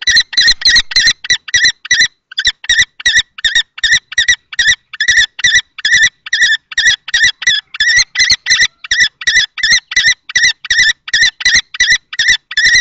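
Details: Kestrels disputing a nest box in Théding on 20 March 2024, two males contesting it: a long volley of shrill repeated kee calls, a brief pause near the start, then an unbroken rapid series.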